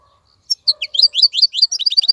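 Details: Short stretch of a caged wild-caught European goldfinch's song, a faint low note followed by an accelerating run of clear twittering notes.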